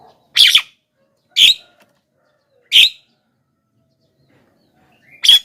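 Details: Javan myna calling to draw in wild mynas: four abrupt, harsh rasping notes, three close together about a second apart, then a pause before the last.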